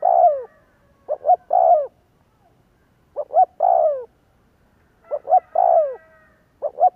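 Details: Spotted dove calling to make other doves coo, repeated three-part phrases of two short notes and a longer descending croo, with a faint thin overlapping tone in the later phrases.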